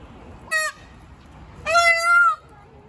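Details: Angry peacock giving a short sharp yelp, then after a pause a longer, wavering, nasal wail of almost a second, loud and ringing against a quiet background.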